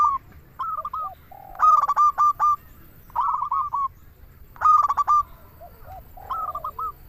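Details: Local zebra dove song, used as a lure to prompt doves to sing: rapid stuttering cooing phrases near one pitch, with a loud rolling burst about every three seconds and softer low coos between.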